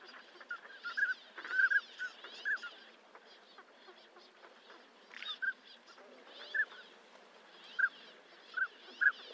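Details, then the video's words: Northern pintail (Anas acuta) giving short, clear whistled notes around mid pitch, singly and in quick pairs at irregular intervals, over a steady hiss of background noise. "sound northern pintail"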